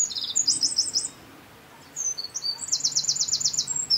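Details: Eurasian wren in the Czech Republic giving two song bursts separated by a short pause, each a torrent of shrill high notes that includes a rapid, evenly pulsed trill.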